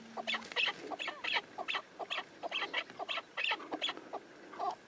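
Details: Chukar partridge uttering an irregular string of harsh, clucking chuk notes with some brighter, higher accents, spaced unevenly over several seconds.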